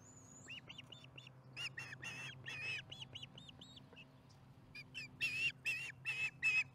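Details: At the Charlo osprey nest on 15 July 2019 at 4:30pm MDT, the osprey chats while eating. A high thin whistle opens, then strings of arched chirps and rough squeals follow, ending in several loud harsh calls.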